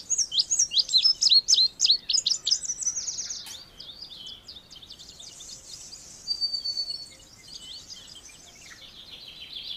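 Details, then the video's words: An Indigo bunting sings a bright, high burst of quick paired notes that tumble downward, then softer, thinner twittering for several seconds. "Canto do Bandeira Índigo"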